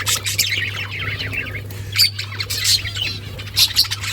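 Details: Pet budgerigars chirp and warble in quick bursts of bright, squeaky notes and short twitters, punctuated by a few sharp accented chirps, with a constant low hum underneath.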